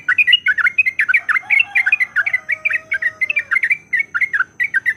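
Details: Yellow-vented bulbul sings a fighting song meant as a lure: a rapid, chattering series of bubbly chirps, with a faint drawn-out falling whistle beneath the middle section.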